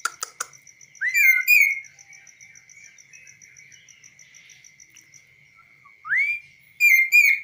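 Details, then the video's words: A tame, trained kaso-kaso bird singing on the hand outside its cage gives short bursts of clear, rising whistled notes, two quick phrases then two more after a pause, over a steady high-pitched whine. "BURUNG KASO KASO GACOR"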